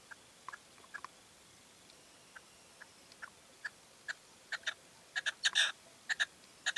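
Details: Male Red-legged partridge calling in late evening light in La Serena, Extremadura; faint short notes at first, then louder harsh chuck notes building into rapid grouped bursts toward the end.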